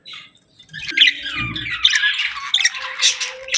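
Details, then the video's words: Parakeets chirping: soft chatter swells into squawky, rapid warbling with whistled upslurs, over a brief low rattling sound and a faint steady tone near the end. "Parakeets Chirping Sounds"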